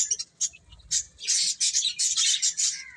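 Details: Short burst of chick chirping during feeding and play: a few scattered thin peeps, then a dense run of overlapping high calls.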